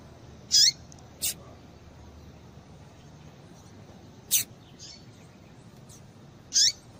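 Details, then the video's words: Female double-collared seedeater uttering calls to fire up males: four quick, high, sharp chirps spread irregularly across several seconds, with a couple of faint notes in between and a faint background hiss. "Piado de Fêmea de Papa capim Para Esquentar Papa capim"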